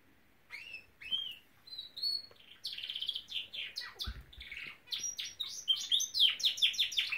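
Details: Singing Norwich canary opening with a few separate rising whistled notes, then building into dense buzzy trills and rapid chirped runs that grow louder toward the end.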